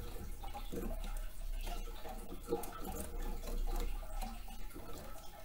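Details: Indoor sounds of running water and soft ticking knocks over a low hum, with no animal calls.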